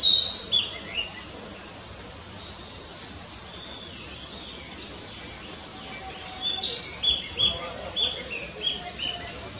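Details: A Narcissus flycatcher singing in Fuchū, Tokyo, on 4 May 2017 gives short, high, bright whistled notes in two bursts, with a quick run of notes near the end, over a steady outdoor hiss.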